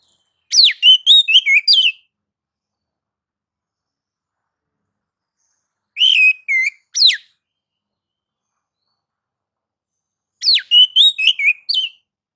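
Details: White-rumped shama singing to provoke rival shamas: three bursts of rich whistled phrases, each about a second long with rapid varied notes and sweeps, separated by pauses of several seconds.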